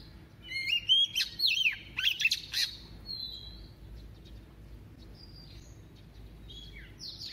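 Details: A female Oriental magpie-robin kept as a decoy sings its double-voiced song to stir males: an opening cluster of looping whistles and sharp chips, then faint, thin high notes after a pause.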